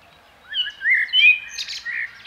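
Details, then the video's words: Common blackbird giving a short run of fluted, warbling notes that rise and fall, followed by a higher squeaky flourish and a softer closing note, in an otherwise quiet setting. "Kos / Common blackbird / Turdus merula"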